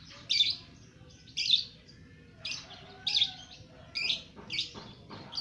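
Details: Lovebird aged two months giving its ngekek chatter in a cage; loud scratchy chirps spaced about a second apart, with some softer notes between.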